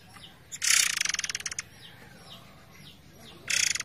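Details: Forktail singing over a flowing-water background, meant for training other songbirds: a dense, rapid, ratchet-like rattle lasting about a second, faint thin descending whistles, then another harsh pulsed burst begins; soft running water throughout.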